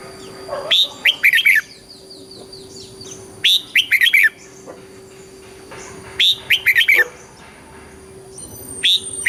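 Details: Southern Thai style song of a red-whiskered bulbul, played to stimulate birds and teach chicks: repeated bursts of jaunty, liquid whistled notes roughly every two and a half seconds, with faint higher chirps between.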